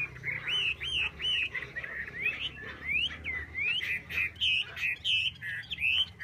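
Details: Hwamei singing clear looping whistles, repeated arched and upward-slurred notes in groups, steady and musical, with brief gaps between phrases and a soft low drone behind.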